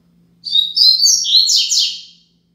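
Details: Braddock-type double-collared seedeater tutor song, meant for teaching young captive birds, with sharp high whistled notes followed by rapid rich buzzy downslurs lasting nearly two seconds; soft background hum.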